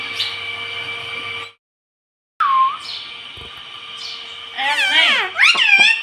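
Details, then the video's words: Talking pet parrot, known for saying "mummy" and "mitthu", gives a brief high note, falls silent, then ends with a quick cluster of rasping, wavering speech-like syllables. "Ye mittu mummy bolne wala tota [] Talking Parrot [] mitthu mitthu"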